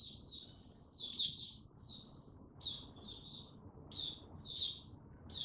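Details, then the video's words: White-eye male called mata puteh, building toward its Tsunami song, dated 06032022; clustered high chirps in short groups separated by brief gaps, crisp and twittery. "Mata Puteh Before he open buka Tsunami Video 1 gaining confidence to buka slow n steady"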